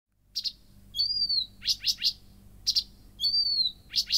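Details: Blyth's reed warbler singing at night: sharp paired ticks alternate with a high, smooth whistled note that slurs slightly downward, the tick-and-whistle pattern repeating across the phrase in a quiet setting.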